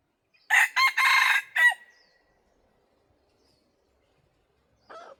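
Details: Crow of a red junglefowl set out as a lure for wild birds: four loud, hoarse segments with a drawn-out trailing whistle, then quiet and a soft answering crow from afar.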